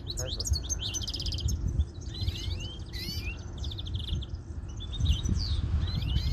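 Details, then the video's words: European greenfinches in full song, fast chattering trills mixed with repeated rising whistled slurs, continuous throughout over constant low-frequency noise. "probando verderones"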